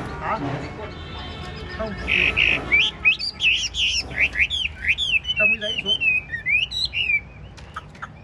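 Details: Chinese hwamei in a cage, big-bodied 'ngũ trường' singer nodding and dancing: after some background noise, loud varied whistled song with swooping, looping notes, ending in a series of quick slurred phrases.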